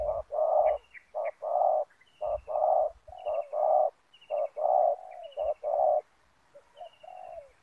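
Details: Decoy spotted dove luring wild doves toward ground snares, giving a rapid rhythmic run of paired coos, a short note then a longer rough one, about once per second, with a faint high trilling bird behind and soft knocks.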